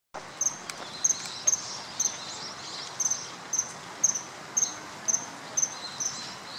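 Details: Male common kingfisher calling at the Tama River, Japan, on 21 March 2013. Thin, very high, sharp whistled notes come in short bursts about twice a second over a steady hiss of flowing water.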